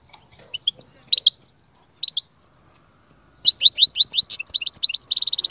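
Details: Goldfinch song played for training quiet goldfinches: scattered high chirps, then from about 3 seconds a fast run of bright rising and falling notes ending in a dense buzzy trill.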